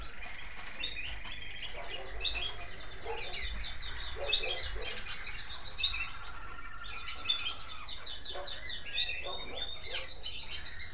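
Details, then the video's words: Evening chorus of American Singer canaries kept in bird rooms, several bred by their keeper; many overlapping quick chirps and warbled phrases form a dense, busy twittering with low rumbling room noise underneath. "Some beautiful canary sounds from my bird rooms"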